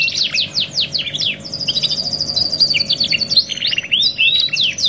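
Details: Canary singing on a 2-in-1 training track: quick descending whistled sweeps, then a long rapid high trill of repeated notes, ending in looping slurred whistles and chips.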